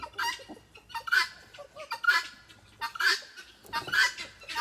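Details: At a farm animal sanctuary beside a creek, on a mild day with rustling leaves, a female helmeted guineafowl gives a harsh, repeated two-part call about once a second while a distant male answers, with background noise.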